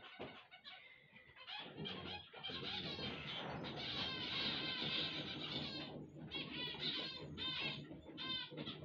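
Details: Several zebra finches singing together on waking: a dense, continuous stream of buzzy, nasal, harmonic notes and rapid chattering that overlap throughout, with a brief pause near the end before the chorus resumes.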